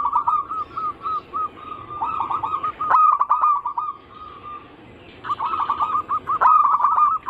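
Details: Zebra dove (perkutut) song used as a lure to set other zebra doves singing, from a mix of anggungan, local, Bangkok and crossing styles. Rolling trilled coos come in two loud bouts separated by a quiet gap of about a second.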